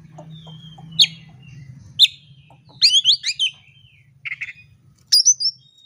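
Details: Oriental magpie-robin fighting song used as a lure to provoke rivals: sharp high chirps and quick rising-falling whistled trills in short bursts, with pauses between phrases and faint low hum.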